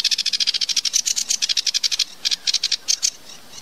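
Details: Sedge warbler, called kerakbasi alis hitam, singing a tembakan-style variation: a rapid-fire chatter of sharp, harsh high notes, about eight per second for two seconds, a short pause, then a few shorter bursts of the same notes.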